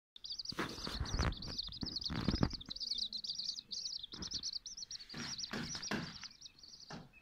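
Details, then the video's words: A brood of Silkie and Golden Sebright chicks keeps up continuous shrill peeping, quick overlapping notes, over frequent knocks, rustles and scuffling sounds. "Silkie Chicks and Golden Sebright Chicks"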